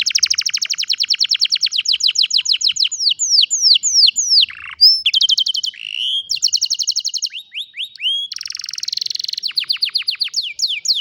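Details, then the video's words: Canary in full song, recorded with a cellphone: long rolling trills of rapid repeated notes alternate with rising whistled sweeps and buzzy phrases, sung continuously without pause. "الكناري بالتأكيد ستحب غناء الكناري الجميل هذا Canary Singing"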